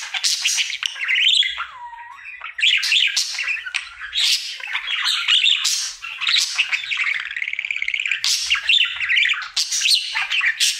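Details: Indoor pet budgerigar, male, singing its daily song: rapid scratchy chatter mixed with clicks and squawks, and early on a clear low whistle that slides and holds, then resumes dense warbling.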